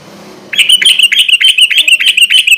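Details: Sooty-headed bulbul in rapid 'gacor garuda ropel' song, used as a nighttime lure: sudden bright, chattering chirps repeated quickly and evenly after a quiet low rumble.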